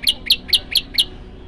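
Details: A prinia, labelled prenjak lumut (common tailorbird), gives five sharp, high chirps, evenly spaced about four or five per second, over a faint low background hum.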